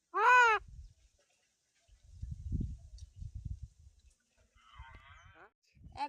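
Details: A village common myna (Acridotheres tristis) talking: a loud, harsh, wavering cry, then low muffled voice-like mumbling, and a burst of nasal, rasping chatter near the end.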